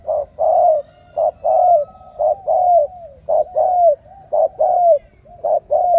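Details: Mellow repeated cooing of a spotted dove from Ca Mau, a wild-caught bird selected for its powerful coo, with short note followed by a longer slurred coo, phrases recurring roughly every second in a quiet setting.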